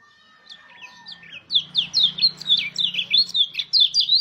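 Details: Mountain white-eye lure song to set other white-eyes singing: a swelling, fast chain of bright slurred twitters lasting several seconds, over a faint low hum.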